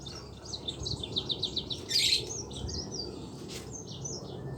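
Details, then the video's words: Yellow-fronted canary in energetic rolling song, the 'ngeroll' style, used to prompt reluctant canaries to sing: a fast run of repeated high sweeping notes, then a loud burst and further high warbled phrases over low background rumble. "mozambik gacor ngeroll cocok buat pancingan mozambik malas bunyi."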